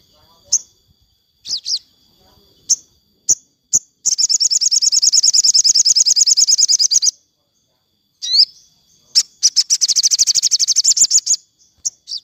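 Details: Afternoon sogon song, played for captive birds: scattered high chirps and whistles, then two long fast buzzy trills of high repeated notes, each lasting two to three seconds.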